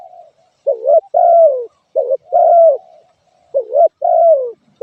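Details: Soft, hollow cooing of a spotted dove: paired short and drawn-out falling notes repeated three times at an even pace, background silent.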